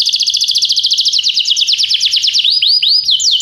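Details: Canary singing a training song so other canaries will sing: a fast, regular high trill that slows into looping downward and upward slurred whistles.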